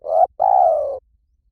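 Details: Two soft, mellow coos from a spotted dove, a short one followed by a longer, gently falling one, heard up close against silence.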